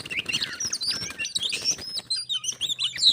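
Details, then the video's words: Oriental magpie-robin song during a contest between a pet bird and a wild intruder that becomes a fight; rapid whistles and chips mixed with broad rustling, scuffling noise throughout. "Kacer _adu suara sampai jadi bertarung/fight Cok"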